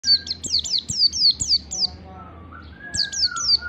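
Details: Oriental white-eye song in an 'ngalas' lure recording meant to prompt singing: rapid runs of high, sharply descending chirps, about four a second, broken by a pause with a faint lower drawn-out whistle, then the chirping resumes.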